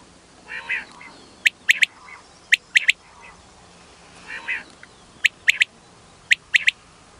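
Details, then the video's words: Quail call for luring birds in during hunting: crisp triple-note bursts, repeated about once a second in clusters, alternating with a few nasal, buzzy calls against a quiet background. "Batair sound/Batair ki awaz/اس آواز سے بٹیر اڑتا ہوا آئے گا"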